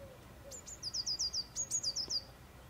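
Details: Eurasian blue tit (Cyanistes caeruleus), song.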